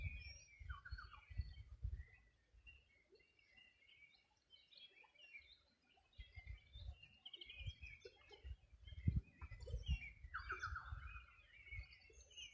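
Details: Riverside bird chorus on the Río Bueno in the Los Ríos Region, summer morning 2020. Scattered high chirps and quick trills mix with a few lower descending notes, over frequent low thumps and rumbling background noise.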